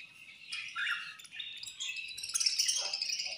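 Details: Several budgies at feeding time, squabbling while they eat, with continuous twittering chatter of high warbled notes that grows louder toward the end.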